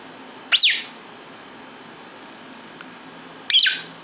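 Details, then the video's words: Lovebird calling inside a bedroom: two shrill, abrupt chirps about three seconds apart, each a quick sharp sweep, with quiet room hiss between. "Lovebird Ikut Nimbrung di Kamar Tidur"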